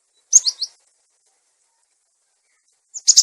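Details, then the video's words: Clear-voiced cinereous tit lure sound, used to train tits that have gone quiet: three quick descending high chirps, a long silence, then a sharp note followed by a buzzy rattle. "Suara pikat burung gelatik batu"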